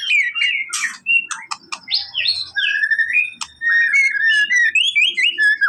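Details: White-rumped shama singing to stir a quiet bird into responding: a rich run of rising and falling whistled phrases broken by sharp clicks and chirps, with a faint low murmur underneath.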